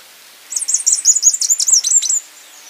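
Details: Slaty flowerpiercer song: a quick, high-pitched jumble of thin twittering notes and sharp downslurred chips, lasting under two seconds, over a quiet, still background.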